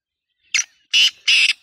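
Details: Loud black francolin call made of three harsh, raspy notes: a brief opening note followed by two longer grating blasts in quick succession, with no other sounds.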